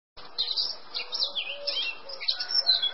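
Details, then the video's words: Male Eurasian blackcap singing a rapid, continuous warble of varied high whistled and chattering phrases, with short fluty slurs rising and falling throughout three seconds. "Barátposzáta hím"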